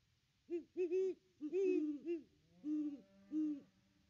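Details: Great horned owls at their nest tree on Christmas Day 2021, captured by a nest camera while one of the pair visits: deep, soft hoots in short bursts, a rhythmic run of about five notes, then two longer, lower hoots after a pause.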